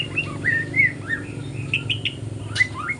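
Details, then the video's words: Morning practice song of a juvenile spotted white-rumped shama, a lively stream of varied whistles, slurs and sharp chips, each note rising or falling quickly, with steady low hum beneath. "GACOR kicauan murai batu trotol pagi hari"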